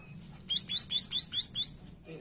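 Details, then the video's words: Tledekan song used to lure a bird that rarely sings: six bright, high, descending slurred notes repeated rapidly, about every quarter second. "Pancingan tledekan malas bunyi"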